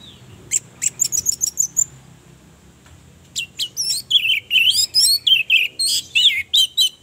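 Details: Female orange-headed thrush sound used as bait to stir males into song out of mating urge and aggression. A quick series of very high thin notes, a short pause, then a long, energetic run of varied sliding whistles.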